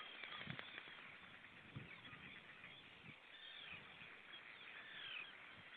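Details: Common shelduck (Tadorna tadorna) in Estonia, 16 May 2018, giving nasal honking calls amid dense chatter of other waterbirds, with soft low thumps underneath.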